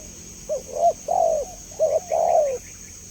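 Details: Clear spotted dove call meant to draw a quick response from other doves: two phrases, each a quick rising note followed by a longer, slightly falling coo, over a steady high-pitched hiss.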